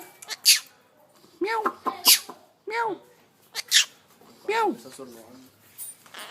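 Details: A pet rose-ringed (Indian ringneck) parakeet learning to talk mimics a cat with several nasal, rising-then-falling meows at uneven intervals, broken by sharp, hissy squawks, as its owner repeats "meow".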